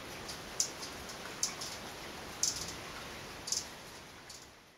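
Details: A male Violet sabrewing singing on a rainy day in a Guatemalan cloud forest: short, sharp, very high chips about once a second, over a steady hiss of rain and a thin continuous high whine.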